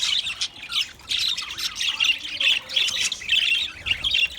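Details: White budgerigars keep up a continuous harsh, scratchy warbling chatter with raspy squawks in short bursts, hardly pausing throughout.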